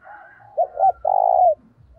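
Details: Single loud luring phrase from a spotted dove: two short, quick notes followed by one long, even coo that lasts about half a second, with faint low thumps below.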